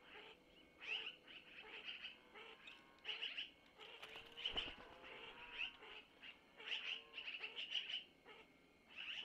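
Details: At a long-eared owl nest near Missoula, 25 April 2024 at about 05:05, the mother feeds owlets food taken from the male; clusters of high chirps in bursts every few seconds, faint lower wavering notes, a short rustle.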